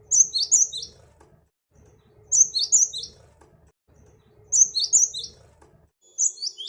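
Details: Great tit sounds used to lure wild birds: short clusters of three or four high, bright chirps, each cluster followed by about a second of near silence, with a faint steady hum beneath.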